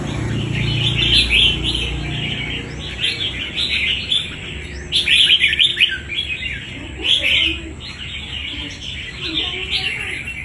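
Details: Red-whiskered bulbul, a wild-caught fighting bird, pouring out rapid, uneven chirping and warbled notes in clustered bursts, with a low rumble early on and a constant thin high-pitched hum behind.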